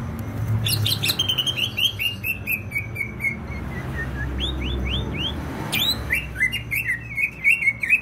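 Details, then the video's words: Greater green leafbird from Banyuwangi, East Java, Indonesia, singing in a lively, continuous outpouring: chains of quick slurred whistled notes, rising and falling, with sharp high chirps and clicks between phrases; low background hum throughout. "CUCAK IJO BANYUWANGI GACOR"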